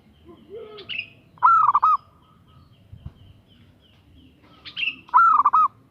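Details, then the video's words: Female zebra dove calling a male, giving two short phrases of rapid, bubbling coo notes a few seconds apart. Each is preceded by a thin, high, falling chirp from another bird, and there is soft background rustle. "SUARA BETINA GACOR MENGGODA JANTAN‼️Perkutut Betina Memanggil Jantan"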